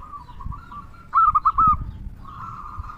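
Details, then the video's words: Local zebra dove with a big 'kung' voice; faint level cooing frames a single louder rolled phrase of about four quick notes in the middle, with low background rumble. "Perkutut Lokal Gacor Suara Kung Besar Pancingan Burung Perkutut Agar Bunyi"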